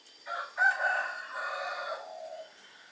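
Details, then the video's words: Long-tailed shrike chick about three weeks old, begging while hand-fed crickets, gives a loud, grating, buzzy squawk lasting about two seconds, rough and harsh throughout, then fading. "LOLOHAN BURUNG PENTET USIA 3 MINGGU"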